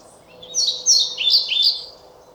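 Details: European pied flycatcher singing one short, high phrase of sweet, sliding whistled notes lasting about a second and a half, with a brighter peak midway and a faint steady hum beneath.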